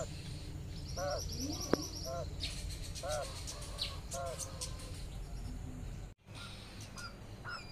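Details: Mother quail calling her twelve newly released baby chicks to follow her as they graze in the sun; a short series of arched, harmonic notes, with faint high peeps, rustling, and a brief dropout in sound.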